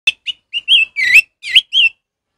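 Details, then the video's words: Orange-headed thrush singing in the ngeplong style, used as a tutor recording for captive birds that have stopped singing: a loud sequence of short, clear whistled notes, some rising and some falling, with brief gaps between them. "suara Anis merah ngeplong"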